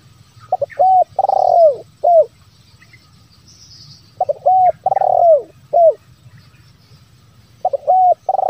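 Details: Spotted dove lure recording in the 'bero kuk, 1 lambung kuk' style, played to prompt wild and reluctant decoy doves to call. Three phrases of soft lead notes, a rolling descending coo and a closing hoot, separated by pauses of about two seconds.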